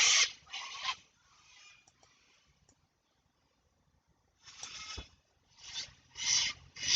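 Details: Sulphur-crested Cockatoos in the background late on an autumn afternoon give harsh, raucous screeches in ragged bursts, several overlapping with quiet gaps between.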